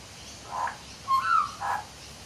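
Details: On a back deck, a male magpie that visits regularly sings to himself: three mellow notes, a soft one, a clear rising-falling fluted whistle, then another soft note.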